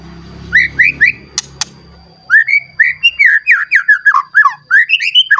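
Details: White-rumped shama, agitated and seeking a rival, singing its full repertoire: a few low rumbling notes, then rapid chains of loud, slurred whistles that rise and fall, with two sharp clicks and a faint steady high tone.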